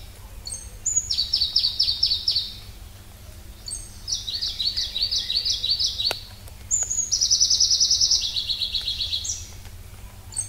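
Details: Song of a Pallas's leaf warbler (Phylloscopus proregulus): three very high, loud phrases, each opening with a thin whistle and running into rapid trilled chips, sometimes shifting pitch midway, separated by brief pauses; low steady hum underneath.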